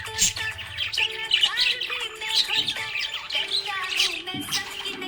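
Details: Budgerigar chirping in a happy mood, with quick high twitters and short rising whistled notes in clustered bursts, while background music sustains steady tones.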